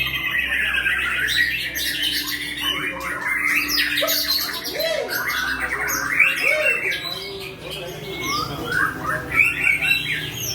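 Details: Aceh white-rumped shama singing at a bird-singing contest: loud, varied whistled phrases with clear arching notes and rapid chattering runs, repeated over and over, while other contest birds sing busily in the background.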